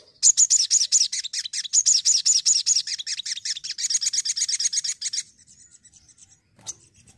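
Crimson sunbird giving an energetic burst of high, sharp notes repeated rapidly for about five seconds, followed by near silence and one faint chip.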